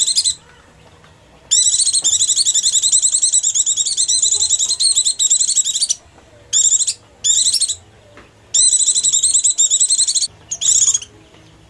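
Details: Oriental white-eye in hunger or fear, a call used to lure small birds down: long bursts of rapid, high, buzzy chattering notes, several seconds each, broken by short pauses, over a quiet background.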